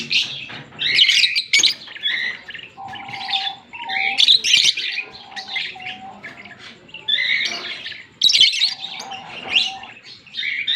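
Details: October 16, 2023 recording of a green Fischer's lovebird pair chattering in rapid, raspy high chirps and squeals, with a few brief steady whistled tones lower down between the bursts.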